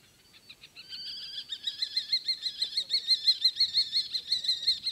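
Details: Common kestrel during a pairing, giving a rapid series of high, thin, whining notes, about three per second, steady in pitch and building in loudness.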